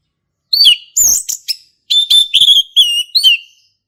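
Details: Male orange-headed thrush singing in the ngeplong style, recorded in a forest: a rapid string of varied notes, with clear whistles and sliding notes around mid-high pitch, some buzzy trills, and brief gaps between phrases.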